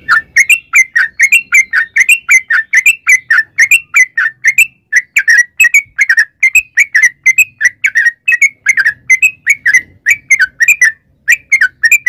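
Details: Continuous long 'ropel' song of a yellow-vented bulbul, played to make other bulbuls answer: twelve seconds of steady, rhythmic paired bubbly notes repeated without a break.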